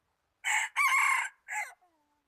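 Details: Red junglefowl kept as a decoy bird, recorded 26 January 2019, giving a harsh, broad crow in three bursts: a short opening note, a longer sustained middle section, then a brief clipped ending, followed by faint fading tones.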